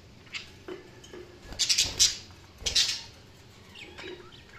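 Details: Budgerigars with a few loud sharp chirps and squawks in clusters mid-clip, separated by quieter stretches with soft scratchy notes.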